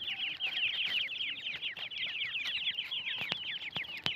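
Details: Several young francolin chicks peeping together, rapid high-pitched downslurred cheeps in an unbroken busy chorus, with occasional sharp clicks toward the end.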